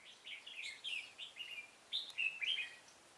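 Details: Red-whiskered bulbul during trapping, 16 November 2017, delivering a rapid string of chirpy, rollicking whistled notes, rising and falling in quick succession, with light hiss behind.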